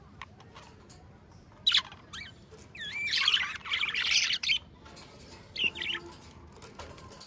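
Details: Two companion budgerigars singing and talking: a sharp squawk, then a loud burst of dense, scratchy warbling with looping whistled notes, ending in a few short chirps.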